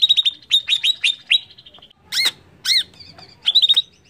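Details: Greater green leafbird song as a lure to provoke other birds: rapid bright chirps in short runs, two loud harsh arched notes in the middle, then a final quick burst of chirps.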